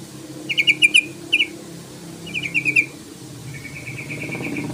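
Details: Yellow-vented bulbul calling to provoke a rival into sounding: short clusters of bright chattering notes in quick groups of three or four, then a softer, even trill, over steady background hiss.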